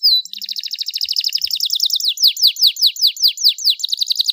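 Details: Starblue canary, described as a champion panda-type bird, singing loudly: high trills and rapid repeated notes, then falling slurred whistles repeating about two to three times a second, clean with no other sounds.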